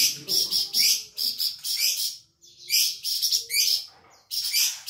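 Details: Flamboyan bird from Sumatra, used by bird keepers to teach other songbirds, singing hard: bursts of bright, harsh, high chirps in quick runs, separated by a silent pause in the middle, with a faint lower hum.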